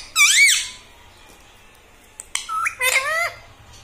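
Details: Talking parrot that says 'papa' and 'mummy' utters one strong arched squawk-like word, then after a pause two quicker nasal syllables sliding downward.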